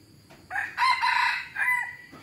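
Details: F1 hybrid junglefowl rooster crowing in a wild-type voice: a loud, harsh crow of several joined phrases lasting about a second and a half, with a final drawn-out note and a quiet background.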